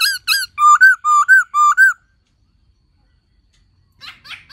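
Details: Black-throated laughingthrush in song with a calling female: clear whistled notes in quick pairs, rising and falling, over about two seconds, then silence and two faint scratchy notes.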